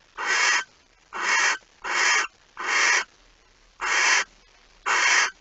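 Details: Nest of a barn owl, 05:14 on 26 August 2019, during delivery of a mouse: six harsh hissing shrieks in quick sequence, some almost running together, steady in loudness against a quiet nest box.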